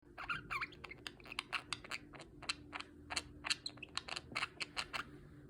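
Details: A female pet budgerigar gives harsh, clicking chatter, annoyed at being woken from sleep by her owner.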